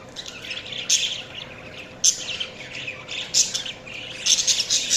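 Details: Budgerigars chirping: bursts of bright, scratchy warbling chatter and short squawky notes coming in irregular clusters, several overlapping voices, with a faint steady background hiss.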